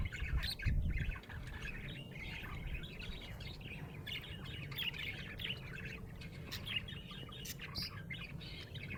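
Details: Budgerigar chirping happily, a steady stream of soft warbled chirps and chattering notes over low background rumble.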